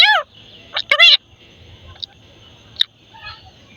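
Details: Pet parrot talking like a human: a few short harsh voiced syllables with rising and falling tone, then quiet clicks and a faint high hum, a person speaking to it just before and after.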